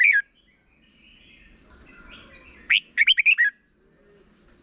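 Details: Caged red-whiskered bulbul from Thailand singing a short doubled ('bern') song used to teach young birds: one quick phrase of five bright, warbled notes near the end, after a brief opening note, over a steady high whine.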